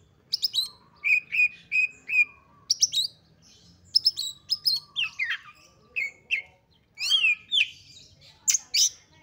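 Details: Oriental magpie-robin in highly excited song, used to provoke other magpie-robins into singing: a varied run of sharp high whistles, clear repeated notes and quick buzzy trills, broken by short pauses.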